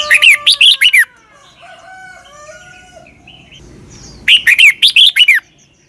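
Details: Red-whiskered bulbul from Thailand singing a doubled southern master-style song meant for young birds to copy: a burst of five loud, sliding whistled notes, a quieter pause with soft background chirps, then another five-note phrase.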